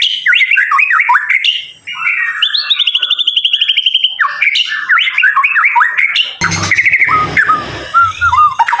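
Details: Captive leg-banded murai from Kemayoran, Central Jakarta, Indonesia, singing a rich varied song of rapid whistled notes, slurred rising and falling phrases and a fast trill, with a burst of low rumbling noise in the last seconds.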